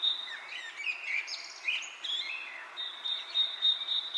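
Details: Bird chirping with wind in the leaves: a high, steady pulsed trill at the start and end, with softer sliding whistled chirps in between.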